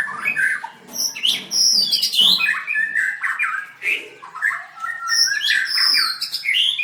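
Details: Contest-winning white-rumped shama, 7/25/16, singing and dancing vigorously: dense mix of sweet whistles, high thin notes and quick warbled phrases, rising and dropping in pitch.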